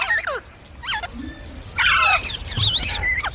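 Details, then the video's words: Green parrot giving harsh, squealing chirps with sliding pitch, some rising and some dropping, interspersed with scratchy squawks over a noisy background. "Green Parrot Chirping Sounds /Voice"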